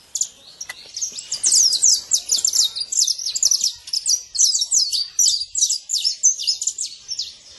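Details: Saffron finch singing at liberty in nature, a dense run of bright, high-pitched chips and slurs that builds after a quiet start into a continuous sparkling chatter.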